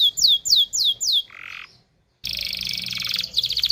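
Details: Canary song played to stimulate males and females to mate: a series of sharp descending whistled notes, then a buzzy burst, a brief gap, and a fast dense trill of rapid notes.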